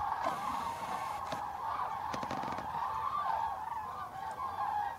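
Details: A flock of Common cranes at Tablas de Daimiel, Spain, in November 2012: a steady chorus of loud, rolling, trumpeting calls, overlapping without pause, with a few soft clicks and thumps in between.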